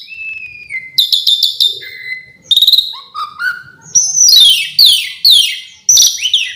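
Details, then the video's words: Asian pied starling with full varied song: an opening falling whistle, quick chirp bursts, a low held note and rising slurs, closing with harsh descending buzzy phrases. "Kicau jalak suren full isian pariasi"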